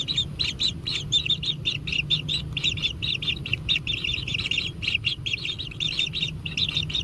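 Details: Kingfisher chicks at a natural nest being fed, giving dense, rapid high chirping calls, many short notes overlapping in quick succession, with a steady low rumble of background noise.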